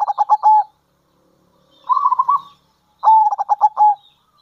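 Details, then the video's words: Kerot and bekur cooing of a local zebra dove used to attract other doves: three short bursts of rapid, clipped coo pulses, the middle one softer and rolling. "Panggilan Perkutut Lokal !! Perkutut Lokal Kerot Gacor Dan Bekur Ampuh Untuk Pancingan Perkutut"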